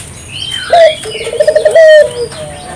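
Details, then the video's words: A single Spotted dove phrase used to encourage local doves to sing: an abrupt bright note, a fluttering pulsed coo and a longer drawn-out falling ending, with faint high bird chirps around. "suara burung puter gacor,merangsang burung puter lokal ikut gacor"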